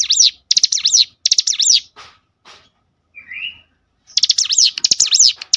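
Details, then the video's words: Cinereous tit lure song for prompting other tits to sing: three quick sharp-note phrases, a pause with faint scrapes and a soft rising chirp, then two more rapid bursts. "spontan emosi Cigun manapun langsung gacor dengan pancingan ini"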